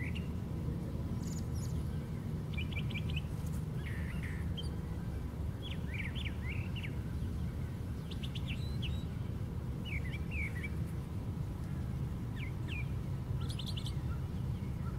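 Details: A brown thrasher sings atop a white pine tree, giving a long series of brief, varied chirpy phrases every second or two, some clipped and buzzy, some sharply slurred, over a steady low-pitched rumble.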